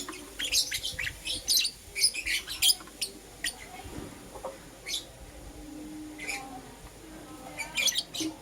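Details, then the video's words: Morning chirping of lovebirds, green opaline and lutino Euwing: sharp high tweets in a busy run over the first three seconds, then scattered single chirps and a final cluster, over low background hum. "Lovebird Chirping Sounds"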